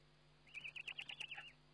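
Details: Eurasian eagle-owl during feeding, webcam recording from 29 May 2011: one short, high trill of about ten quick, evenly spaced notes lasting a second, set against a steady low hum.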